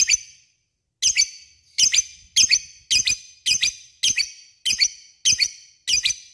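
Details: Lovebird calling to an opponent as a lure: a steady series of about ten harsh high double-peaked shrieks, coming roughly every half second after a brief pause.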